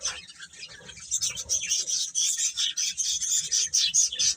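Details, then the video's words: Baby chickens keep up a dense, overlapping chorus of high thin peeps, quieter at first and then louder and steadier from about one second on, with rapid chirps tumbling over one another. "Cute Chicks Chirping Sounds"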